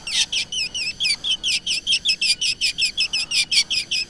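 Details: Black drongo, recording meant as a lure: a clean, rapid string of chirping notes that bend down and up, repeated evenly about two and a half times a second.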